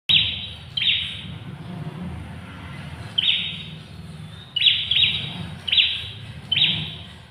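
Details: Ashy tailorbird, known locally as prenjak kepala merah, gives sharp, high, buzzy notes in short bursts, some doubled, repeated irregularly about every second, over a low rumbling background.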